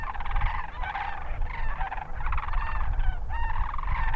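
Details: A wintering flock of sandhill cranes near Hatch, Garfield and Rincon in the Hatch Valley, southern New Mexico, gives overlapping rolling, rattling bugles in a continuous chorus over a steady low rumble of wind.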